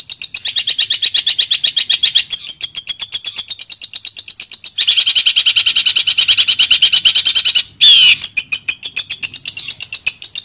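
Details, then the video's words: Long-tailed shrike song played as sound therapy to get a shrike that has stopped singing to sing again; a rapid, steady stream of high chattering notes, about eight a second, broken by one harsh rasping burst near the end. "Terapi Suara Untuk Cendet Macet"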